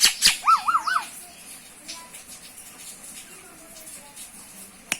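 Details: Acridotheres tristis tristis, the common myna: a quick wavering whistle with three loops, then soft faint chatter and a single sharp click.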